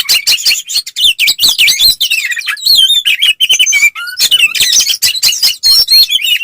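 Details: Oriental magpie-robin (kacer) fighting song, used to provoke other males into answering: a dense, fast run of high whistles, slurred sweeps and harsh chatter notes, with almost no pause.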